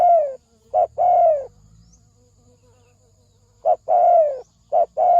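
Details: Spotted dove cooing, 'thổ sấm đồng' lure for males and females: a falling coo, then short-long coo pairs separated by a two-second silence, faint low hum beneath.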